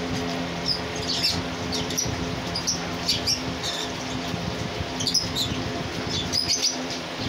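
A cockatiel gives soft, scattered high chirps over a steady low hum.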